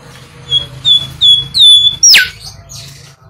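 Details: Bimoli song used as a lure for training birds: a short series of clear whistled notes sliding down, then a sharp rising-falling sweep, over a low hum.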